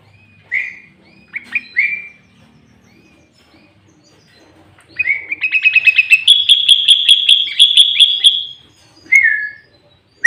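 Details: Sooty-headed bulbul singing loudly in a lure recording meant to attract other bulbuls and provoke rivals: a few clear whistled notes, a pause, then a long rapid rattling trill rising in pitch, and a final falling whistle.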